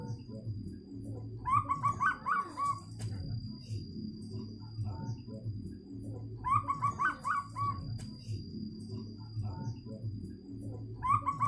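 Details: Zebra dove, local wild-type perkutut, cooing in two bouts about five seconds apart, each a stuttered run of soft hooting notes ending in a longer coo; low rumbling background noise and a steady high electrical whine.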